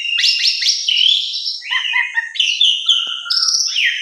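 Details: Asian pied starling (jalak suren) lure song to get silent birds singing: rapid rattling chirps, smooth whistles gliding downward, a low whistled phrase, then sustained high tones ending in a descending slur.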